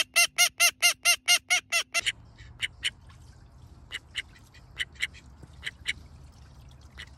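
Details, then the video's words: A pet duck quacks in a fast, loud, evenly spaced series of about ten nasal notes over two seconds, then gives softer scattered clicks and calls over a low background hum. "Male & Female Duck Sound!"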